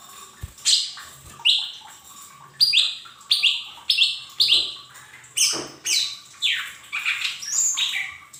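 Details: Lesser green leafbird training song for caged birds, meant to prompt young birds into singing: a series of short, sharp, downslurred whistled notes about every half second, varied and bright, with a low steady hum behind.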